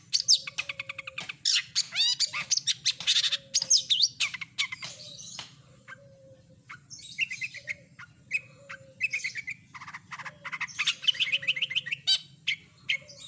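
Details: Long stretch of varied long-tailed shrike song with a full repertoire of imitated birds: fast scratchy chatter and trills, then repeated mid-pitched rising phrases, with soft low whistled notes recurring throughout.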